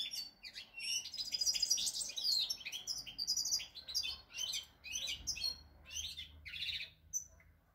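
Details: Song of a European goldfinch, 8 February 2020: continuous high, scratchy twittering mixed with thin piping whistles, pulsing in short rapid bursts that fade toward the end.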